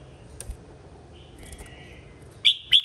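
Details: Red-whiskered bulbul in contest singing: soft distant whistles, then two loud, short, rich chirped notes close together near the end.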